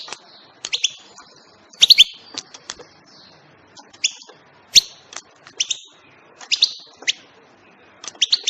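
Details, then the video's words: A lively run of European goldfinch chirps: bright, sharp notes in frequent clusters, some twittering and overlapping, with only brief pauses between groups. "بتبتات طائر الحسون"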